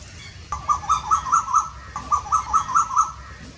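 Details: An Asian koel in R.S. Pura, Jammu and Kashmir, gives two quick runs of five or six clear, even-pitched notes, each run lasting just over a second, over faint background hum.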